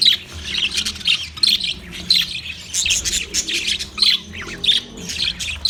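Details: Budgerigars chirping, recorded 9 March 2024: dense overlapping high warbled chirps and twittering in quick bursts, several birds calling at once with barely a pause.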